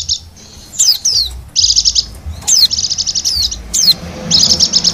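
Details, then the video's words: Wild white-eye from Bali, used as a lure: several downslurred whistles and repeated clipped high trill bursts of about six to eight rapid notes, evenly spaced across the recording. "suara pikat dan pancingan bunyi burung pleci bali liar"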